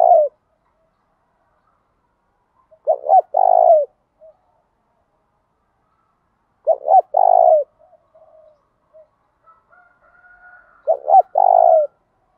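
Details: Spotted dove in a 'thổ đồng' field-style voice, used to stimulate males to answer and duel: three phrases spaced about four seconds apart, each two short clipped notes then a longer hoarse falling coo, in otherwise quiet surroundings.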